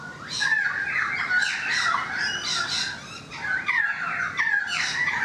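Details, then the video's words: Currawong singing from a balcony: rich, gliding whistled phrases sliding down around the middle pitches, mixed with harsher squawky notes, several phrases in quick succession. "The Currawong Song"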